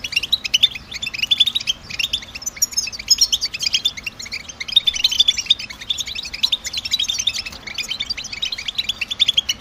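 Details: European goldfinch in a motivating twittering song, sung by males in spring and summer to attract females: dense, fast streams of bright chirps and trills that keep running with brief dips, one bird or several together.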